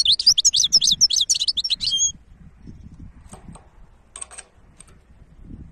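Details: Goldfinch hybrid giving a two-second burst of rapid, sharp twittering notes, then near quiet with a few faint clicks and short high chirps over low rumble.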